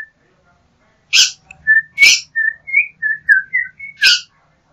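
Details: Yellow-backed Oriole (Icterus chrysater) singing: about ten short, clear whistled notes, some rising and some falling, strung together over three seconds. Three sharp, loud clicks cut through the phrase.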